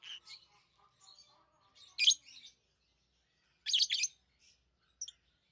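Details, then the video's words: Lovebirds kept as pets give scattered soft chirps, then two loud, shrill, raspy bursts about two seconds apart, and a final brief high chip. "Love birds Sounds | lovebirds chirping sounds"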